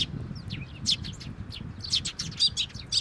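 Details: Sparrows feeding chicks at a Tenmangu shrine, 22 May 2024: quick clusters of thin, bright chirps, roughly two per second, with soft low background hum.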